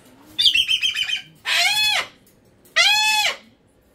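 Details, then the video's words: Pet cockatoo indoors: a pulsing buzzy call followed by two long, harsh, arching screams about a second apart. "Cockatoo Meltdown To Whispering"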